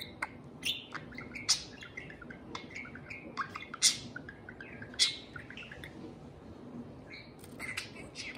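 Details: A pet parakeet serenading a can of beer indoors: scattered short, squeaky chirps and high tweets in irregular bursts, some sharp rising notes, over a faint low background hum.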